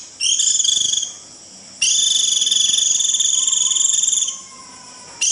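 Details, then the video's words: White-eye giving its shrill 'rít' call, used to summon the flock: dense, buzzy rapid trills held for one to two and a half seconds, separated by short gaps, with a faint lower whistle underneath. "Tiếng chim vành khuyên rít √ siêu gọi bầy cực kỳ nhậy gọi là về"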